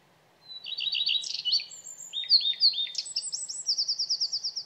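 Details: A common redstart delivers a lively song of quick chirps and downslurred whistles, building into scratchy notes and finishing with a fast, even trill of high bright notes. The background is quiet.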